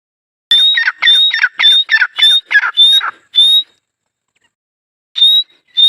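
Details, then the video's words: Teetar partridge giving a fast series of loud grating calls topped by thin whistled notes, roughly two per second, pausing for over a second before resuming. "Teetar colling | dakhni teetar Awaz | Teetar partridge sound"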